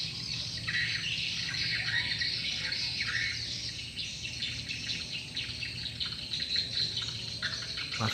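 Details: Swiftlets called in by lure playback, plenty still circling; a thick chorus of rapid high chirps, roughly four a second, with scattered downslurred notes and a low hum beneath.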